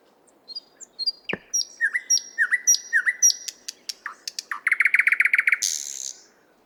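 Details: Moscow park nightingale, 50th Anniversary of October park: soft high whistled notes, then a repeated sliding whistle motif, quick clicks, and a dense buzzing trill ending in a harsh rasp; faint low background hum.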